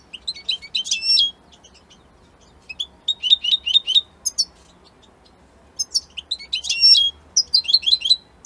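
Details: Italian European goldfinch song in spaced bursts of sharp, high, metallic twitters and trills separated by short silences, each phrase a quick tumble of bright notes.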